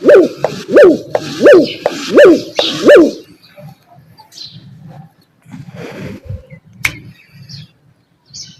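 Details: Dove, known locally as fakhta, giving five quick, rhythmic hollow coos in a steady series over about three seconds, then quieter low rumbling and scattered faint noises.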